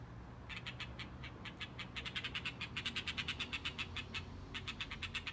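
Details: A Blue rock thrush holding a lizard in its bill, displaying to a female, gives a rapid run of short, sharp ticking notes, about five a second with a brief pause, over a low background rumble.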